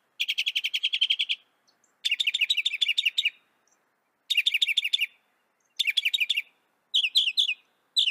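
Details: Song of the northern mockingbird, North America's only common mockingbird. Dense buzzy trills come in bursts of about a second, separated by short silences, with each burst slightly different from the last.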